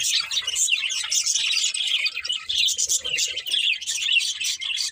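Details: Nonstop budgie chatter: a thick wash of high, buzzy chirps and twitters from several birds overlapping, steady in loudness throughout.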